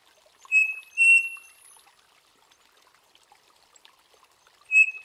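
A Striped Cuckoo gives its clear, pure two-note whistle, the second note slightly higher.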